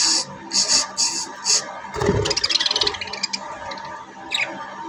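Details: Talking budgerigar chatters nonstop in fast, scratchy bursts of hissy, high-pitched babble mimicking speech.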